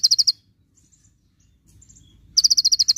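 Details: Konin, the Javan white-eye, with rapid 'tembakan' song: the tail of a fast high note series, about two seconds of near silence with faint soft chirps, then a fresh burst of quick, piercing repeated notes.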